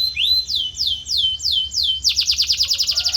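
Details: Canary song for training another canary's voice: a rising whistle, then five evenly spaced falling whistled slurs roughly every third of a second, switching abruptly to a quick loud rolling trill of rapid repeated notes; soft hum underneath.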